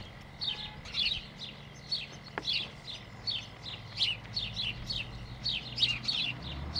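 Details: Lively sparrow chatter: a rapid, uneven series of short high chirps, overlapping as if from several birds, continuing steadily throughout with a soft low hum beneath.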